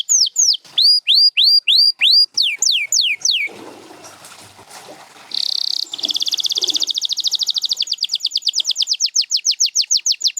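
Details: Canary song, from champion Gloster and Spanish Timbrado birds: repeated rising and falling whistled notes, a pause with soft rustling noise, then a buzzy tone leading into a long rapid trill.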